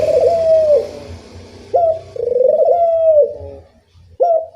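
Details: Loud training lure of a Barbary dove (puter): a drawn-out vibrating coo, a brief sharp accent, then another long purring coo sliding down at its end, with a last sharp accent and soft low rumbling beneath.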